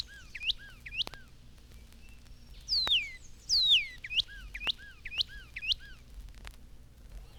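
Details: Northern Cardinal recorded by Cornell University ornithologists in 1954. A varied string of whistles: short downslurred notes, two loud long falling whistles in the middle, then a few quick upswept notes over a faint background hiss.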